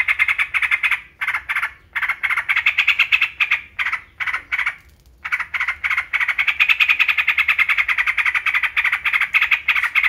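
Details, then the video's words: A yellow-vented bulbul chatters in quick, gravelly pulses. Early bursts are choppy and short, then a long unbroken run builds toward the end. "TRUCUKAN,, super ISTIMEWA cocok untuk masteran pancingan PERANGSANG GACOR"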